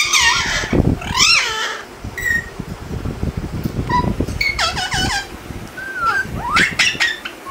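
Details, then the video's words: Pet talking rose-ringed parakeet saying "Mitthu" in squeaky, nasal, speech-like bursts, repeating the word several times with rising and falling inflections, over low room thumps. "Ringneck Talking Parrot Mitthu Mitthu"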